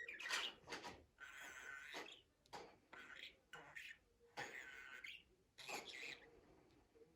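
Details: Budgerigar producing a talkative, speech-like run of chattering syllables, scratchy and buzzy, in short phrases separated by brief pauses.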